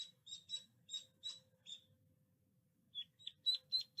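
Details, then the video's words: Duckling calling with short, high, thin peeps in quick bursts of two or three, a pause of about a second, then a louder run of sharp peeps near the end, over a faint low rumble. "little duckling sound effects"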